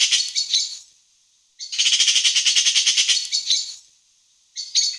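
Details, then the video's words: Eurasian magpie, recorded in the afternoon, gives harsh, dry rattling chatters: a short burst, then a longer rattle of about fifteen rapid notes over two seconds, then another short burst. "Eurasian magpie Bird Sound | Magpie Call"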